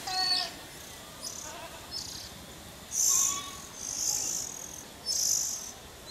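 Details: Oriental magpie-robin feeding its young, recorded from a camera set high up: loud hissing, buzzy high bursts repeated roughly once a second, with a brief clear whistle at the start and faint lower tonal notes between.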